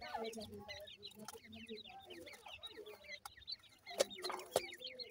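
Francolin chicks give a busy chorus of thin, high peeping notes and soft chirps, overlapping continuously, with a few sharp clicks and knocks.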